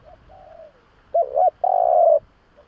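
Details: Spotted dove lure call to draw in doves: a faint soft coo, then a loud phrase of two arched notes and a long, steady, husky coo, low in pitch.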